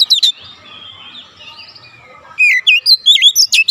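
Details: Oriental magpie-robin singing in the rapid 'nembak rapat' style, recorded to train young birds: a few sharp notes, soft sustained warbling, then a tight, fast string of loud whistled and chattering notes.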